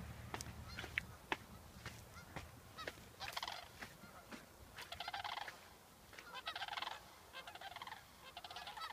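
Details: Sandhill cranes recorded in August 2014 near Waite Park, Minnesota, giving rolling, rattling calls in bursts of about half a second with short pauses between, plus a few sharp clicks early on.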